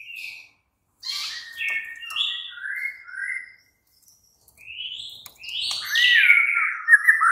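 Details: White-rumped shama lure song at night, to make a kept bird reply and sing: short, clear whistled phrases separated by silences, ending in a louder, rising run of rich notes.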